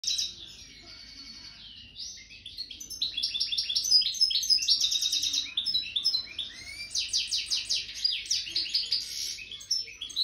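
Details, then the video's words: A caged European goldfinch, two weeks into its moult, sings a fast, tinkling warble of high, liquid twitters and buzzy trills that run on without pause, over a faint low background hum. "Jilguero catando"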